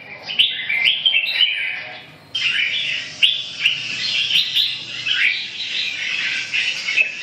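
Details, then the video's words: Red-whiskered bulbul singing energetically, chains of bubbling whistled notes with a short pause near the middle, then a long continuous rush of warbles to the end. "Kênh về chim Chào mào"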